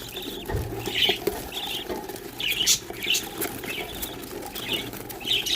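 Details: Baby budgerigars in their nest box, scared as it is opened, give raspy, scratchy chirps in quick bursts, distress calls of fear at being disturbed.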